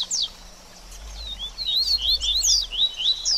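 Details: 'Baderninha' style song from a double-collared seedeater, used for a bird after moulting. One high downslurred chip is followed by a short pause, then a quick run of thin rising and falling whistles over a soft low hum.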